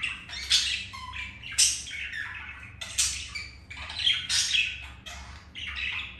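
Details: Budgies mating, after a white-grey hen rejected the male: rapid harsh squawks and buzzy chirps repeat roughly every second or two, with one brief lower whistled note early on, and a faint hum underneath.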